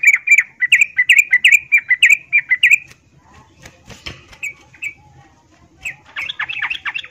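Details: Female yellow-vented bulbul in breeding condition calling to a male, used as a lure for males that rarely sing: bursts of bright, bubbly chirps repeated rapidly for three seconds, then scattered softer notes and a final chattering flurry.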